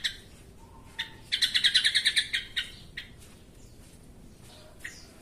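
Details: Lure recording of an excited yellow-vented bulbul: a steady, rhythmic run of about ten harsh, buzzy notes lasting about a second, framed by single sharp notes before and after and a faint whistle.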